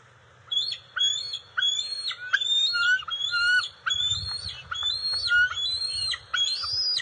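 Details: Bald eagle juveniles at their nest as eel and fish are delivered, 29 June 2021, scuffling and sharing: rapid repeated piping, whistled chirps with falling and rising notes, a continuous excited chatter over faint rustling.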